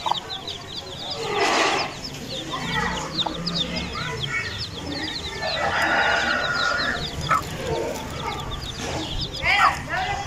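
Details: Aseel chicks calling in a busy chorus of thin, high peeps, broken by louder broadband bursts and a drawn-out, crow-like adult call in the middle.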